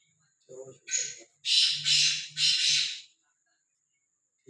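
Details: Harsh, rasping call of a free-roaming black francolin. Three broad grating notes follow two shorter lead-in notes, with low human voices murmuring underneath.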